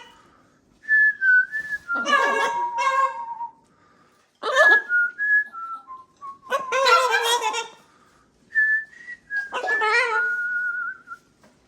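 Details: Macaw parrot flock at kitchen playtime in a changed environment. Loud, harsh, harmonic-rich squawks lasting about a second each come in three bursts. Between them are clear whistled notes, sliding and stepping around a steady pitch, separated by short silences.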